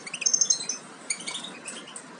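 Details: Young European goldfinches close to leaving the nest, Major carrier x Parva Ancestral, give a quick burst of high, slightly tonal twittering notes followed by a few weaker scattered chirps.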